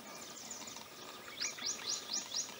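A common babbler gives a quick run of five high, sharply slurred notes, about four each second, over steady background hiss.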